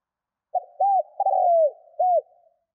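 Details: Single phrase from a spotted dove, a call meant to attract wild doves: brief opening note, smooth arched coo, drawn-out burry falling coo and a final rounded coo, with silence around it.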